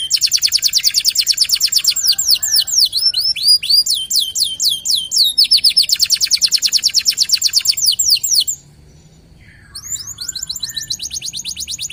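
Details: Singing local canary, gacor, used as a lure: long loud runs of rapid slurred high notes and rattling trills, a brief quiet break near the end, then more fast trilling.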